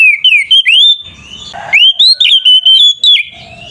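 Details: Oriental magpie-robin singing ngeplong fighting song to provoke rivals: a string of loud slurred whistles, upswept and downswept, broken by a short harsh rasp, then rapid clear whistled notes.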